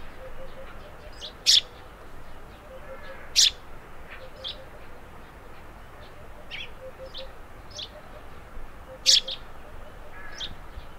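Eurasian tree sparrow giving sharp, dry chirps at irregular intervals, three loud ones standing out among softer ones, over a steady low background hiss.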